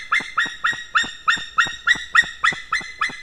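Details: White-tailed eagle at its nest in Estonia, calling as a stranger eagle comes too close: a harsh, yelping series of about a dozen clipped notes, evenly repeated roughly four times per second, loud and clear against quiet background.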